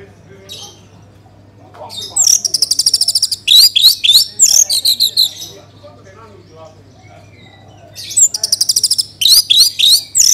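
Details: Orange-headed thrush song played as a lure to get other birds singing: two long bursts of loud, rapid high trills and sharp whistled notes separated by a quiet gap with faint chirps.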